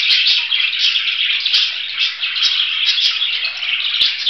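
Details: Budgerigar twittering without a break, a harsh, rolling warble punctuated by regular light clicks.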